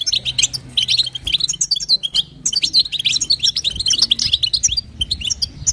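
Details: Female European goldfinch calling to excite the male, in the local batbata and sastasa call types: bursts of fast, high, chattering twitters broken by short silences about every second.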